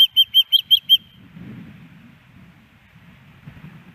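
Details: Osprey female food-begging at a Missoula, Montana nest in Hellgate Canyon, September 10, 2018, wanting the male's fish. A burst of six piercing whistled chirps opens, then only low background rumble remains.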